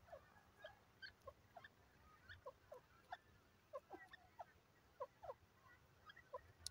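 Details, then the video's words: Francolin known locally as Irani teetar: clipped, squeaky notes fall in pairs and small clusters, repeated irregularly over several seconds against a low steady hiss. "irani teetar voice call pheasant teeter bird awaz"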